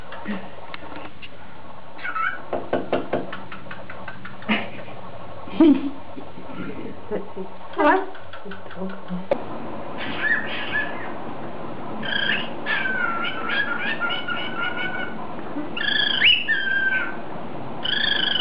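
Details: A six-month-old male cockatiel whistles the Ed, Edd n Eddy cartoon theme tune in clear, stepped notes after a stretch of tapping and voices.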